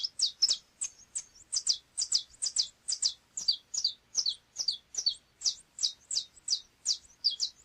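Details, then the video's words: Saffron finch (canário chapinha) delivering rapid, emphatic high chirps in a continuous series, each note sharply dropping in pitch, some doubled, roughly three per second. "Canto do canário chapinha"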